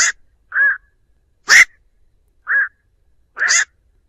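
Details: Flock call of a black-crowned night heron, used to lure birds: five short rasping quok notes spaced about one second apart, alternating harsher and softer tones, with nothing else audible.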